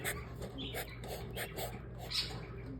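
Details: Three cockatiel chicks give rapid, raspy, wheezing begging calls in quick repeated bursts while hungry and about to be fed.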